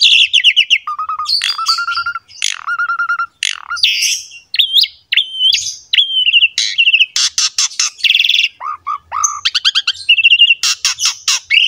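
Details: Asian pied starling in full pumping song used as a lure for young and reluctant starlings: repeated level whistles, sharp rising slurs, harsh buzzy bursts and quick chattering runs in a long varied sequence.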